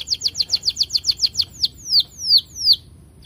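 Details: Canary singing as a lure for other canaries: a quick series of about eleven high downslurred 'cuit' notes that slows into three longer, sweeping whistled slurs.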